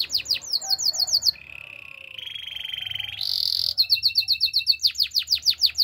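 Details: Spanish Timbrado canary song: fast high sweeping notes, a long low rolling trill rising into a dense high buzz, then metallic repeated notes and descending sweeps.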